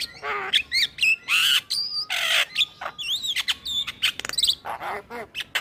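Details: Male black-winged starling in song, meant for luring other starlings: harsh noisy screeches mixed with short whistled slurs and rapid clicking trills, delivered in quick, varied bursts.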